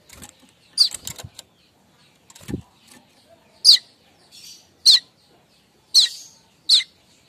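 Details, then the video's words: Streaked weaver morning chatter, the kemrecek lure call: scattered soft clicks and a low thump, then five sharp, scratchy chip notes about a second apart. "Manyar kembang Suara kemrecek untuk pancingan/pikat burung Manyar"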